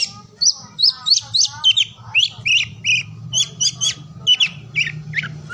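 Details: Singing oriental magpie-robin, played to spur silent, lazy birds into song: rapid series of sweet, sliding whistled notes repeated about three times a second, steady low hum underneath.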